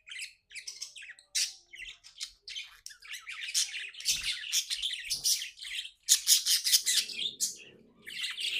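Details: Pet budgerigars, described as happy, chirping indoors: dense runs of high, scratchy chirps and warbles with brief louder squawky notes, nearly continuous, with a short low murmur near the end.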